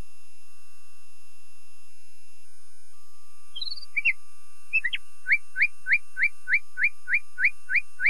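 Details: Common nightingale singing: a few scattered high squeaky notes, then a steady run of about ten sharp, rising chip notes repeated roughly three times a second.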